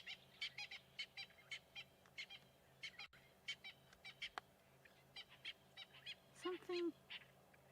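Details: Francolins alarm calling at Buffalo Dam during a sunset safari drive on 6 April 2022, with hippos nearby: harsh, grating notes in quick repeated bursts, several birds overlapping, a low steady hum behind and a brief deeper call near the end.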